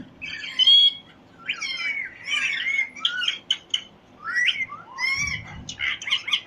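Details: Parrot chirping in a string of bent, whistled chirps and short harsh notes, rising and falling, spaced by brief pauses, with a soft low thud near the end.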